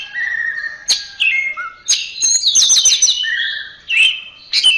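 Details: Orange-headed thrush, known locally as anis merah, singing a mixed phrase of steady whistles, high rapid trills and sharp clicks, with brief pauses between sections; recording meant for training caged songbirds.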